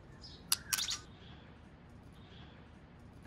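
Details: A captive female white-rumped shama, used to stimulate a male, gives two harsh, scratchy chack notes in quick succession, with faint thin whistles and a low background hum.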